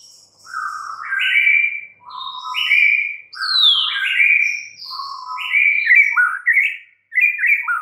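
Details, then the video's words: White-rumped shama singing a rich, varied run of loud whistled phrases, mixing low slurred notes with high sharp rising and falling whistles in quick succession and brief pauses between bursts. "murai batu BISU, STRES, MACET TOTAL bakalan NYAUT GACOR dan Kembali FIGHTER"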